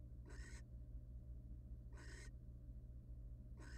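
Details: Wild barn owl at a nest box, recorded on a research camera: three harsh, hissing, broadband screeches about 0.35 seconds each, spaced roughly every 1.6 seconds, over a steady low hum.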